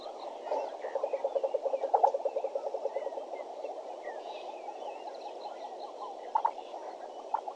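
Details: Hornbill at a Djuma waterhole, 6:51 am, 13 September 2012, giving a fast run of low, hollow clucks that swells then fades after a few seconds, with scattered thin whistles of other birds and steady hiss behind.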